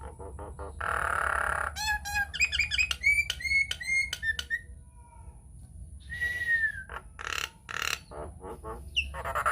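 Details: Hill myna from Nias, recorded as a lure for other mynas. A harsh rasp gives way to a series of short looping whistles, then a long downslurred whistle and scattered sharp clicks over faint hum.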